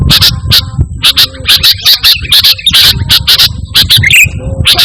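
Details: Sooty-headed bulbul singing actively, without added mimicry, for calling and tutoring pet birds: steady stream of crisp high chips, mostly doubled, broken by one brief rising twitter near the end, with low background noise.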